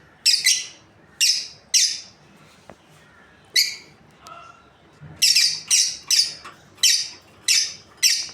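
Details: Repeated harsh, piercing chirps from a lovebird breeding pair, scattered at first then coming in a steady run of about one per half second, with a faint click and low murmur between.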